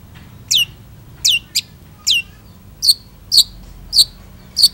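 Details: Long-tailed shrike in active song: short high, downward-slurred notes roughly every half second, with later notes becoming brighter and more clipped, over faint low rumble.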